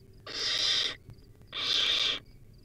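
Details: Barn owl owlet in the wild, recorded by a nest camera during a rodent meal: two drawn-out, broadband rasping hisses of about two-thirds of a second each, separated by a short quiet gap.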